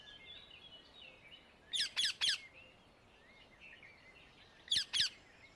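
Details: Wild Indian ringneck parakeet in nature: a quick run of three loud, harsh, screeching notes, then a pause and two more shrieks. Softer chattering and twittering from other birds continues throughout.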